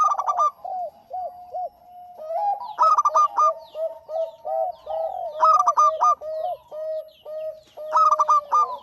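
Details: Local zebra dove in full song for prompting other birds: rich rapid note bursts recur every two to three seconds over continuous soft, rounded coos. Quiet in the background.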